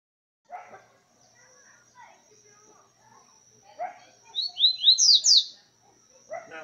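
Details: Coleiro, a caged songbird of the style called boca suja, gives a short burst of four or five high, clear, rising-falling whistled notes near the end, after scattered lower chirps and a few spoken words; a faint steady high tone runs throughout.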